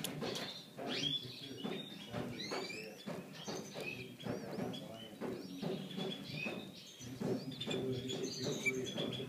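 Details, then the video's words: Brown pastel bullfinch babies, five days old and bred in captivity, make thin arched peeps scattered through the recording, with frequent low rustling and bumping. "kahverengi pastel şakrak yavruları brown pastel bullfinch baby"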